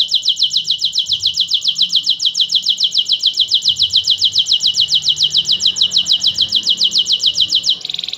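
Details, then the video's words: Canary delivering a long, loud, rapid trill of identical high pulsed notes repeated about three or four times per second, steady for nearly eight seconds before switching to a quicker, softer buzzing roll at the end. "kenari gacor"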